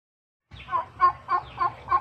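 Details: Male turkeys kept apart from the females give five evenly spaced, rounded calls in quick succession, roughly three per second, after a short silence.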